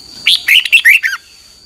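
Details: Red-whiskered bulbul singing a morning training song, used as a lure voice: one quick phrase of five or six bright whistled and warbled notes, sliding and dipping, lasting under a second.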